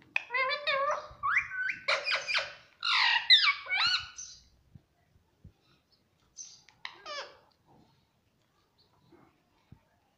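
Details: Pet Indian ringneck parrot that talks, saying mummy and papa: a quick burst of chattering, harmonic syllables over about four seconds, then a few scattered soft notes and clicks in a quiet room.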